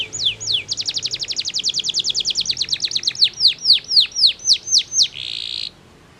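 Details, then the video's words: Canary singing powerfully to provoke opponents, starting with a few sweeping notes, then a rapid rattling trill that slows into loud downward-slurred whistles and closes with a harsh buzzy burst. "POWERFUL, CANARY SINGING STIMULATES THE SOUNDS OF OPPONENTS"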